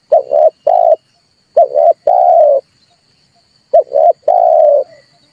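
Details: Red turtle dove lure call for trapping: three low, mellow phrases, each a brief coo, a two-part coo and a long sustained hoot, spaced about two seconds apart.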